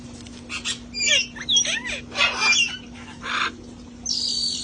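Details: Sanctuary flock of parrots playing outside before the cold weather: a busy run of harsh squawks, rising and falling whistles and scratchy chatter, ending in a long buzzy screech, over a steady low hum.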